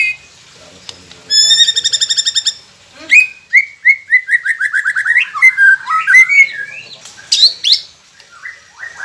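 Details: White-rumped shama recording meant to prompt captive birds to sing: a fast, even rattling trill of about fifteen notes, then a quick string of whistled notes that grows varied and jumbled.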